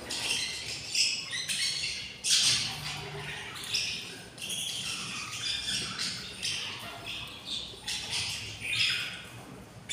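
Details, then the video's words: Six hungry budgerigar chicks in a nest, twenty days after hatching, with the parent pair nearby: rough, hissing, broadband rasps come in quick irregular bursts, overlapping and crowding together for the whole stretch. "06 beautiful chicks are very hungry"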